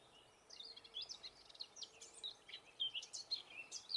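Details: Eurasian blackcap singing in the north of Gran Canaria in May 2020: a faint, rapid warble of high, varied chirps and whistled phrases, rising in strength toward the end over a steady background hiss.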